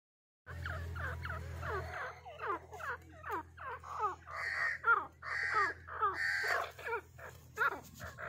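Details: Grey francolin calling in a rapid series of harsh, downward-sliding notes, roughly two per second, growing louder and more strident toward the end, with a low steady hum underneath throughout.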